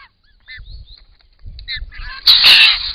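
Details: Camera-trap recording of wild Australian White-winged Choughs at a pond; a few short nasal notes, then a loud harsh grating outburst near the end, with low thumps of movement.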